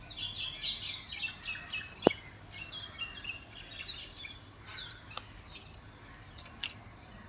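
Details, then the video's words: Parrots calling in monsoon rain: a dense chatter of short, high chirps and squeaky notes from several birds overlapping throughout, with sharp tapping clicks scattered across the clip, one loud crack near the middle. "Real parrots sounds with Monsoon rain."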